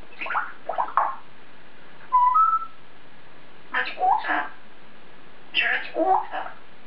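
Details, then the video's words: African grey parrot chatting to itself in its cage, speech-like syllable pairs broken by a short clear whistled note that steps upward, then more mumbled word-like phrases. "The African Grey Parrot Taking To Himself In His Cage!"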